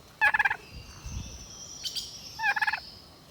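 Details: Turkey on a farm giving two short gobbles, each a quick rattling burst of rapid pulses about a third of a second long, roughly two seconds apart, with a faint high hiss between them.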